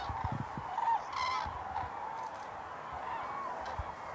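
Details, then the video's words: Common cranes gathered for their dance at Hornborgasjön, Västergötland, in April 2009, filmed with a Canon XL2. A distant chorus of trumpeting calls carries over the lake, overlapping steadily, with a few brief louder honks near the start. "Dancing Cranes"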